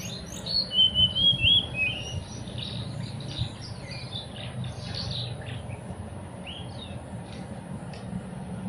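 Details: Sunda whistling thrush on a mountain: a loud burst of clear slurred whistles at the start, then a softer stream of quick chirps and twittering notes over a low steady background hum.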